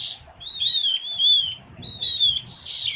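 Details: Lure call of the Javan grey-throated white-eye from Java's forests: two bursts of bright, high, wavering chirps with a short pause between, over soft low background noise.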